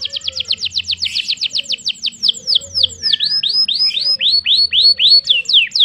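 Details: Canary in a long, vigorous song, delivering fast repeated high whistled sweeps that slow into looping, dipping notes about four per second, with faint low hum in the background.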